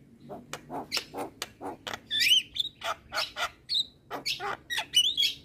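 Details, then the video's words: Javan myna singing as training material for reluctant mynas: steady string of clicks and squeaky chirps broken by bright whistled slurs, over a faint low hum. "Jalak Kebo Malas Bunyi Dan Jenis Burung Jalak Lainnya Cocok Di Kasi Masteran jalak Kebo Ini"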